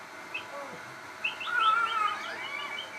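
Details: Crossbred shama in full, persistent song: quick rising whistled notes, then a sustained level whistle and looping slurred phrases.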